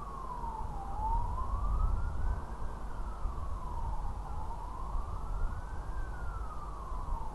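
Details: A siren wails, rising and falling slowly in long sweeps over a steady low traffic rumble, with no animal calls heard.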